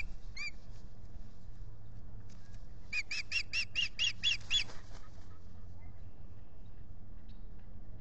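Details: At a lakeside osprey nest, Salt Point, April 19, 2021, a pair that has nested there since 2013: one lone whistled note, then a tight burst of about six piercing chirps, followed by a low background rumble.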